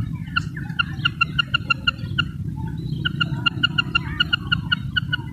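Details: Female common quail calling, recorded in Pakistan: two runs of about eight short, evenly spaced clucking notes, each run lasting roughly two seconds, with a steady low rumble underneath.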